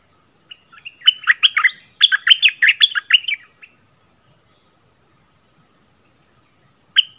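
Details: Song of a merbah lekir bulbul in the doubled style, recorded 24 February 2021: a dense, jumbled run of quick liquid chirps lasting about two and a half seconds, long silence, then one more note burst.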